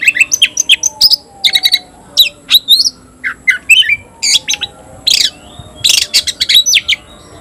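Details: Kept oriental magpie-robin, tayoraky strain, delivering a varied run of harsh squawky notes, sharp chirps and clear rising whistles in quick bursts, some phrases buzzy, with short pauses between groups of notes.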